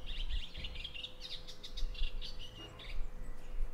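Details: Rare visitor to Italy, an eastern olivaceous warbler singing in a Bassa Modenese garden after May 2023 storms: busy, grating run of quick chirping notes in uneven bursts, backed by faint low background hum.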